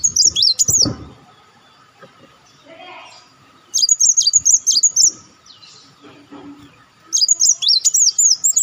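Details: Olive-backed sunbird used as a lure call for trapping birds: high, thin twittering phrases of rapid up-and-down whistled notes, in bursts separated by quiet gaps, with faint low background noise.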